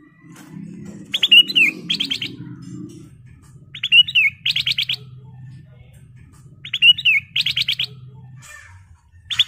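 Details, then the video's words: A Sooty-headed Bulbul sings short, bubbly phrases of quick, bright chirping notes, repeated about every three seconds over a faint low murmur. "KUTILANG EMAS SUARA ASLI KRISTAL BENING GACOR FULL ISIAN"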